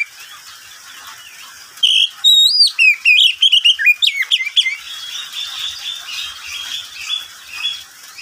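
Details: Pet oriental magpie-robin in the middle of the day, opening with a loud, dense stretch of whistles and quick sweeping notes, then fading into softer, lower whistled phrases for the last few seconds.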